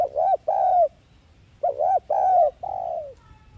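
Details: Spotted dove cooing in the 'thúc gù' lure style. Two husky coo phrases, the second ending in a long, softer falling note.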